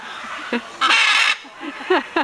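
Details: A macaw near Iguazu Falls, Brazil, in January gives loud, harsh, rasping squawks: one long screech of about half a second, then several short grating calls.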